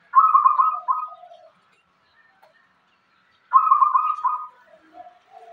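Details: Local zebra dove with a rhythmic song gives two soft, rolling cooing phrases about three seconds apart. Each opens with a quick bubbling trill and ends in a few lower, drawn-out notes.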